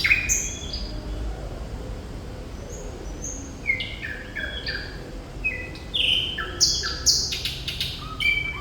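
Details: Thrush nightingale, called Sikatan Londo, delivers a lively medley: high sharp notes, stepped whistles, falling phrases, then loud harsh clicks and raspy bursts near the end, against low steady background noise.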